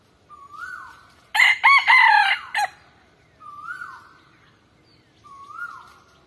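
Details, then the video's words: Chickens on a farm: a rooster gives one loud ragged crow, while softer rising drawn-out calls repeat about every two seconds around it. "Relaxing farm scenery with chickens and church bells sound effect"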